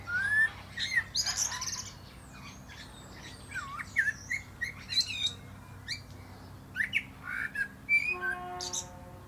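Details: Perched atop a plum tree, a Common blackbird sings varied phrases: low fluted whistles and bubbling warbles tipped with thin high squeaks, repeated after short pauses, a brief tonal buzz near the end.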